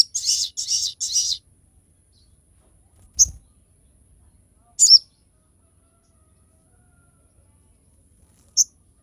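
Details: Crested jay in full sharp-calling form, used as a training and lure recording to get other birds singing: three quick bursts of high, rattling chatter, then sharp single piercing notes spaced a few seconds apart.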